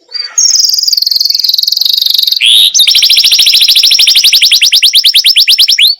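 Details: Canary singing in masteran style: a high sustained buzzy trill, a short lower rasp, then a long fast roll of evenly repeated high pulses lasting about three seconds.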